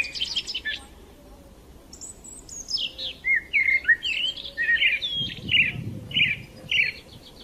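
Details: Morning chorus of sparrows: scattered high twitters, then a steady sequence of short emphatic chirps repeated about every half second, with a soft low rumble partway through.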